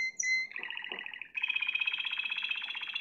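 Spanish timbrado canary: a bright whistled note, then a quick bubbling roll and a fast, metallic, even trill.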